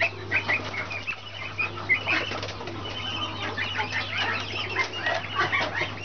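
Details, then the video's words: Brahma chicks peeping: many short, high chirps crowd together in uneven bursts, with soft scratching and rustling, over a steady low electrical hum. "Brahma chicks"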